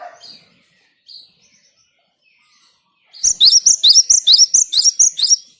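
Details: Singing Java sparrow, used to encourage other birds to join in: a few soft high chips, then a rapid, regular series of sharp, bell-like upslurred notes, roughly two to three per second.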